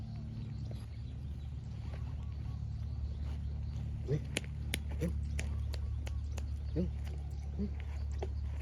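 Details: Spotted dove in a long calling duel with a small-voiced wild dove, taking turns. Soft, low, rounded coo notes come in short bursts in the second half, with sharp clicks and a steady low hum behind.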